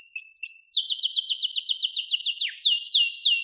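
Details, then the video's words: Canary song: brief level whistles leading into a fast, even trill of short downslurred notes, about four per second, then slower broad descending sweeps. "Wonderfull Canary Singing"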